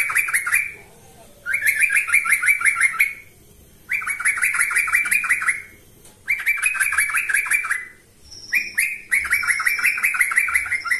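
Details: Lure recording of a yellow-vented bulbul singing persistently: five evenly spaced bursts of fast, bubbly chirping notes, each near two seconds long, with silent pauses between them.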